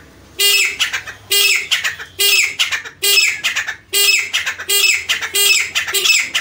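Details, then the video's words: Teetar, a francolin, calling loudly in the jungle: rhythmic series of raspy, ringing squawks, each phrase bursting out and then trailing into shorter notes, repeated roughly once a second. "gora teetar grey francoline black francoline partridge jungle mein teetar Ki awaaz"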